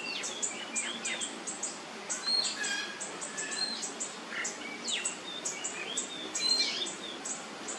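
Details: ['Oriental magpie-robin, nyemplong style, played as a lure so other magpie-robins will sing. Dense run of short high chirps and whistled slurs, some falling sharply, repeated throughout over a steady hiss.']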